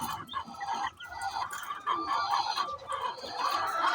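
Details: Chicken calling ahead of laying eggs: rough squawks and clucks repeated unevenly, rising to drawn-out harsh cries near the end among other farmyard fowl.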